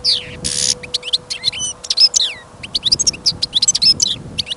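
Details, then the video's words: Caged European goldfinch kept for listening, taken along on a trapping trip during sudden snow and wind, singing confidently: a rapid run of high twittering notes, buzzy trills and sliding whistles in dense bursts, with a steady low hum beneath. "Пение щегла - Голоса птиц. Щегол на прослушивании запел."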